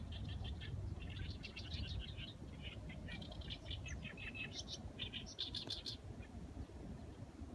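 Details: Bird calls: busy runs of high, thin chirps and twittering notes throughout, over steady low background rumble.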